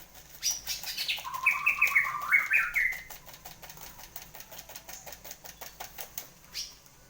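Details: White-rumped shama kept in a cage, freshly finished moulting and in full voice, gives one fluttering warbled phrase of quick whistled notes lasting about two seconds, followed by steady soft ticking and rustling twice a second.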